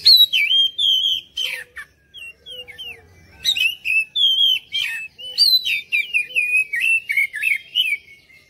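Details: Oriental magpie-robin song used as a lure recording to prompt other birds to sing and respond; loud, varied whistled phrases with sliding, looping notes and sharp chips, delivered in rapid bursts separated by brief pauses.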